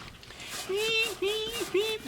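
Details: A Red-breasted Nuthatch at backyard bird feeders, with many fledglings around, gives three nasal, tinny 'yank' notes, each slightly rising and flat, about half a second apart, with faint outdoor background noise.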